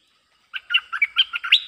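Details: Streak-eared bulbul recording used as a lure for wild birds: a lively run of short, clear chirped and warbled notes, jumping between higher and lower pitches in quick succession, ending on a sustained higher note.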